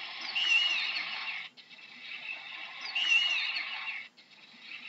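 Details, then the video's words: An owl giving a harsh, hissing screech that lasts over a second, followed by quieter breathy rasping, with the pattern repeating after about two and a half seconds. "How does an owl sounds"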